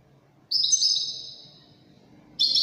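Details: Widani European goldfinch giving one short, high, twittering phrase that fades into quiet, then a fresh burst starts at the end; faint low hum behind.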